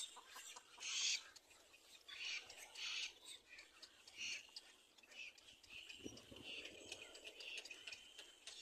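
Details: Begging by a young little black cormorant as it is being fed: rasping, noisy squeaks in short separate bursts, roughly every second, with quieter scratchy sounds between.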